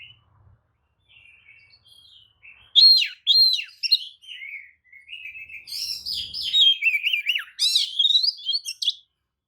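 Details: White-rumped shama (kacer) lure song with open tail, meant to provoke rivals; soft whistles build into loud rapid phrases mixing clear whistles and buzzy chatter.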